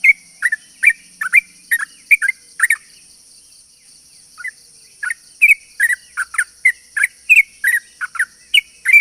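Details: Sooty-headed bulbul lure song for calling in other bulbuls, long and rapid: quick strings of rich, bubbly notes, a pause of about two seconds, then fast chattering resumes, steady high background hum.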